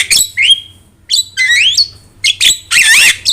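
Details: Javan myna, recorded to train and prompt birds: a few loud whistled slurs and a harsh, wavering rasp, separated by short pauses, over a low hum.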